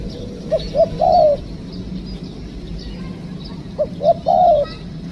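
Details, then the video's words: Spotted dove calls recorded while trapping with a decoy; two phrases separated by a long pause, each of two short notes and a loud falling coo, over a low steady drone. "Mikat Tekukur,, Ajaran.. Poin ke2 dapat kuk2..."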